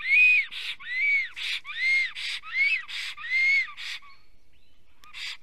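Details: Male black stork in Estonia singing near his nest with a branch in his beak, 8:02 am, 10 April 2020: loud arched whistled notes alternating with breathy hissing bursts, five pairs in four seconds, then fading to quiet hiss.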